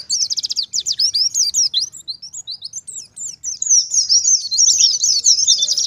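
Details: Oriental white-eye 'ngalas' song for luring and training white-eyes. A quick series of high chips gives way to scattered thin, sliding notes, then to a dense, shrill warbling stream.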